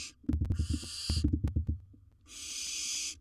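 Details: Wild barn owl in a nest box during the swallowing of large prey: a quick series of low, rhythmic thuds and scrapes, then a single long, harsh hiss.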